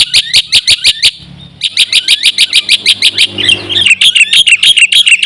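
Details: Black-winged myna song used as a lure to provoke other mynas, a dense run of loud, rapid, shrill chirps repeated about three per second, with a short pause and then more varied whistled notes.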